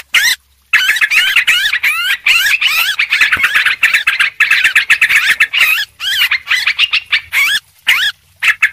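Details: Busy, noisy trucuk (yellow-vented bulbul) chatter used to lure birds: a short pause, then a continuous stream of quick, looping, bubbly notes with a few brief breaks toward the end.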